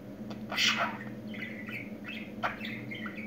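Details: Pet budgerigar, said to be learning to talk, utters one loud harsh squeak followed by softer warbled, slurred notes and a sharp chirp, set against noticeable room hum.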